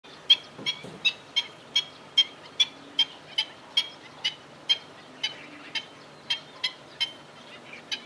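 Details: Black-winged stilt recorded in Fubao, Changhua, on 28 April 2012 at 11:15 in the morning, giving sharp, high chirping notes repeated about every half second in a steady series against a quiet background.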